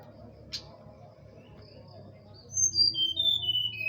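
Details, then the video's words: Horsfield's bush lark song used to coax quiet larks into singing: after a near-silent stretch with one sharp tick, a quick series of high, clear whistled notes descends in steps toward the close. "pancingan burung teledekan yangmales bunyi langsung nyaut"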